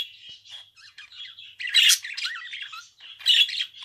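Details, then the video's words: A pet budgerigar chatters continuously in a rambling warble of wavering whistled notes, soft rapid twitters broken by loud scratchy squawks near the middle and end. "Kuş sesi - Muhabbet Kuşu"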